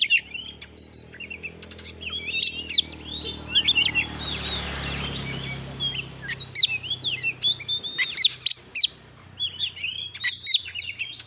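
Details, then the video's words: Kacer, the Oriental magpie-robin, singing energetically: bursts of high, varied whistles, chirps and trills come in clusters, with a broad rushing noise swelling in the middle of the recording. "Masteran burung Kacer AUDIO JERNIH BUAT ANGKAT EMOSI AGAR CEPAT ON NGOBRA,Kacer gacor"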